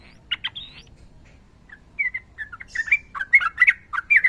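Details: Sooty-headed bulbul, a fighting bird in long rapid-fire song, used as training audio: scattered short whistled notes near the start, then a quiet gap, then louder bubbly chirps coming faster toward the end.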